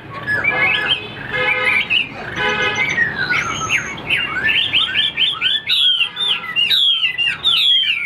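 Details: Caged Chinese Hwamei that fans its tail even when not singing; harsh harmonic notes at first, then a fast cascade of bright, looping whistled phrases.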